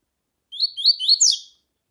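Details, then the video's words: Male-exciting tui tui song of a Double-collared seedeater, set with female calls: a clean phrase of four rising slurred whistles that ends in one loud descending note. "CANTO DO COLEIRO TUI TUI COM FÊMEA CHAMANDO PARA ESQUENTAR COLEIRO TUI TUI"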